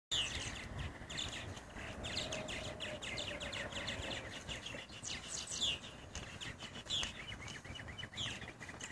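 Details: Purple martins on bird houses in Edmond, Oklahoma chatter in a busy colony: rapid throaty chirps and gurgling notes from several birds overlap, with a steady background hiss.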